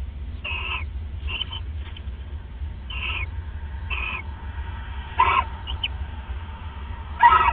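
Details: At the nest, owls bonding at 1:26 AM on 29 December 2014 give short raspy calls spaced about a second apart, the last two louder, over a faint low drone.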